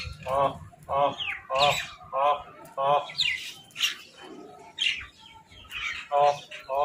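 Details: Crows squabbling over food as they eat: a run of nasal, harmonic caws repeated roughly every half second to second, mixed with higher scratchy chirps and squawks from other birds between them.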